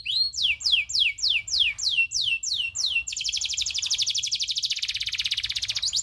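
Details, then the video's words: Local canary tutor song with long rolls: eight loud downward-sweeping whistled notes, about two per second, then a long fast buzzy trill lasting three seconds that drops slightly in pitch. "Masteran kenari loper ngerol panjang"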